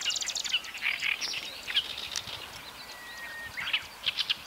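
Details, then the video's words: Many Japanese swamp warblers (Marsh Grassbird) sing from all around a reed bed at Watarase retention basin, Japan, sometimes in song flight. The song is dry, buzzy, high chattering bursts with sharp chips and a thin whistled note over soft hiss. "オオセッカの囀り Song : Japanese Swamp Warbler"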